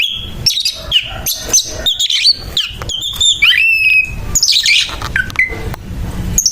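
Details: Oriental magpie-robin (kacer) in harsh fighting song: crowded scratchy chatter, squawk-like rasps and brief bright whistles, a quick, agitated torrent of notes ending in scattered chips.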